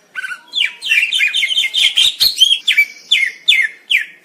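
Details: Greater green leafbird singing a fast, varied run of whistled and chirping notes, with sliding downward-inflected whistles spaced about half a second apart at the close.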